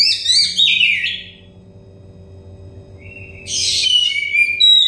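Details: Oriental magpie-robin song for stressed or untrained birds: a loud falling warbled phrase, a quiet gap, then a thin whistle leading into a harsh buzzy burst and descending whistled notes, over a constant low background hum.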